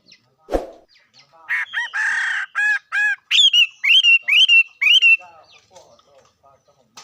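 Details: A sharp knock, then a bird sings a sequence of buzzy harmonic notes followed by a rhythmic series of loud descending-hooked whistles, about two per second, fading into quiet chirps.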